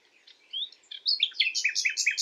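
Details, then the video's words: Common nightingale singing at night: thin rising whistles speed up into a rhythmic string of loud repeated two-part notes, about eight in quick succession. "Common nightingale calling, Beautiful Common Nightingale song [HD Common nightingale sound]"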